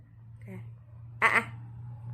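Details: Pet quaker (monk) parrot giving one loud, harsh squawk after a faint shorter call.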